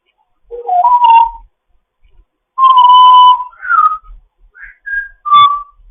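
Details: Grey parrot chatting in the morning, kept as a foster bird: clear pure whistles, some held level, some sliding up or down, in short separate phrases with quiet gaps.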